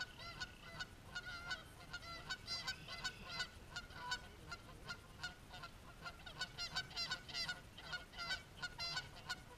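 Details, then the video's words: Geese fighting, a behaviour the recorder had never seen before: dense, rapid harsh honks with rich harmonics, overlapping and repeated nearly three times per second, from several birds calling at once. "Fighting Geese"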